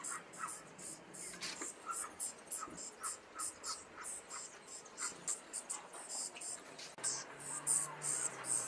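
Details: Caged young common starlings in Liepāja, Latvia, May 2024, give rapid, rhythmic rasping chatter: harsh bursts of hissing notes with grating lower tones, steadily repeated against urban background sound.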